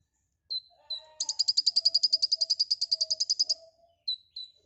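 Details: White-rumped shama in busy, full song: two falling whistles lead into a long, steady, rapid trill of high pulsed notes. A lower, softer whistled tone runs beneath, and more short whistles close.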